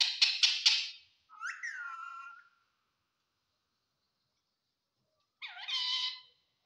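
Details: Talking parrot repeating Assamese words: three quick clicks, then a drawn-out nasal phrase, silence, and another hoarse syllable.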